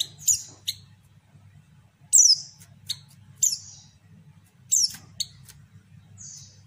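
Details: White-eye female calling to provoke males: bright, high downward chirps and quick ticks in loose clusters, a softer chirp closing the sequence, with a low electrical hum throughout.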